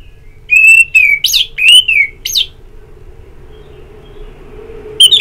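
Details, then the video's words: Orange-headed thrush ngeplong song for singing therapy: a steady whistle followed by sharp upslurred notes and falling whistled slurs, delivered in a quick burst, then a pause and a final loud note; faint low hum behind. "Terapi Ngeplong Untuk ANIS MERAH"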